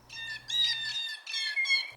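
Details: Blue Jays courting near home on a spring morning: harsh, raspy squawks in three quick bursts over two seconds, loud and grating, with a faint low hum behind.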